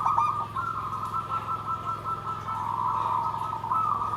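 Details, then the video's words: Zebra dove song, nggandem gedhe garing, as an unbroken stream of fast trilled cooing held at a constant pitch, swelling slightly in the second half, over a persistent low hum. "SUARA PERKUTUT GENDOWO SABDO || NGGANDEM GEDHE GARING"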